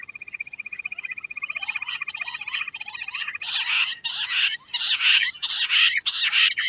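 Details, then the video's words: Quail call that starts as a fast, even trill, then shifts into loud, harsh, hissing bursts repeated roughly every half second. "Queen quail sound || Lohari ka Awaaj"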